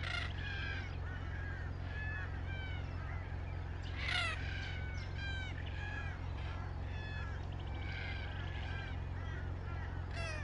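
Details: Several red-tailed black cockatoos calling at once, harsh rolling notes repeated rapidly, with louder calls at the start, middle and end, and a steady low hum behind.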